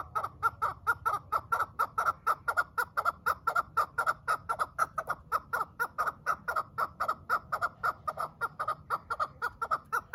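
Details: Farm-kept quail calling: a loud, steady run of short, clipped clucking notes repeated about twice a second for the whole stretch, with a faint low hum underneath.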